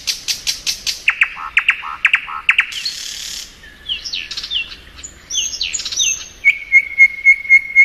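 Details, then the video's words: Thrush nightingale singing in spring: rapid series of sharp clicking notes, a dense buzzy rattle, then varied whistled slurs ending in a run of clear repeated piping notes. "Nightingale Song.(Luscinia)."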